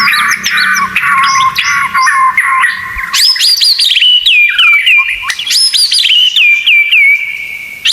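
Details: Murai batu masteran, full 'tembakan' fill: a dense jumble of chattering notes gives way to loud clear phrases of rapid descending whistles that settle into long steady tones.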